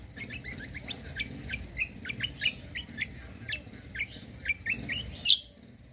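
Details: White-eye lure song intended to draw replies from other birds: scattered high rising chirps and short twittered phrases at an uneven pace, ending with one loud piercing chip.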